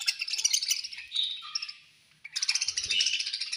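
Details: Feeding-time budgerigars: bursts of high, rapid chattering chirps, a short drawn-out whistle, a near-silent gap, then the chorus of scratchy twitters resumes with a soft thump.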